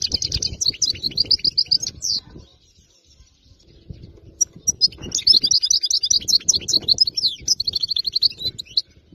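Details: Goldfinch, wild-caught from area 86, singing an error-free song: a fast run of silvery twitters and trills, a quiet pause of about two seconds, then another long bubbling phrase, with low rumbling in the background.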